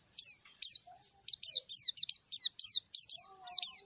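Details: Calling a rival, a white-eye repeats bright, high downward-slurred chirps in a steady string of about a dozen notes, some doubled, with a faint low whistle in the background.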